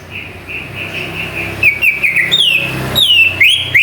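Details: Greater green leafbird, a jamtrok lure meant to stir other birds to sing: a soft, steady string of short whistles at one pitch gives way to louder, wavering slurred phrases and high sharp chips near the end.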